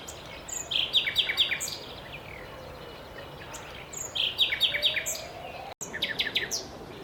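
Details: Common nightingale delivering two separate bursts of rhythmic, rapidly repeated high notes with a pause between, against a soft outdoor background.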